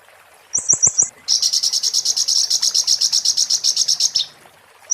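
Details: Oriental white-eye song in the muntah beling style, used as a tutor recording: a short run of four high chips, then a long, fast, even buzzy trill lasting about three seconds, with a few low clicks.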